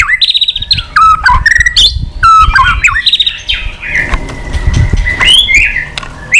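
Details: White-rumped shama in contest singing, an old forest bird with many voices: quick whistled phrases and clicking rattles early, then a long thin sustained whistle and a few louder notes, with low rumbling background noise.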